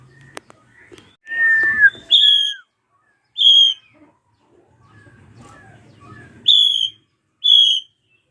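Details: Drongo, a local krantil type, screaming to provoke young birds into singing; loud, sharp, slurred whistles near a faint chatter, given in pairs of ringing notes with quiet gaps between.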